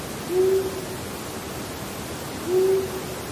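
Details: Long-eared Owl of the eastern United States giving its spaced-out, low "who" series: two low, soft, even hoots about two seconds apart, over a faint steady hiss.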